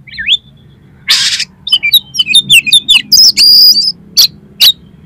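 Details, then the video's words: Oriental magpie-robin song for triggering a kacer to sing and spread its tail: a noisy harsh burst followed by rapid whistled and warbled notes, high ringing phrases and two sharp final chips. "DALAM HITUNGAN DETIK KACER KALIAN PASTI LANGSUNG ON !!! MAU BUKA EKOR"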